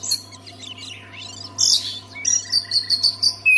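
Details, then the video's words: Oriental magpie-robin song, played to get silent magpie-robins singing: scattered high chirps, then a loud burst of sweeping whistles midway and a run of short bright whistled notes at the end, over a steady low hum. "SEKALI DENGAR KICAUAN KACER INI PASTI LANGSUNG GACOR"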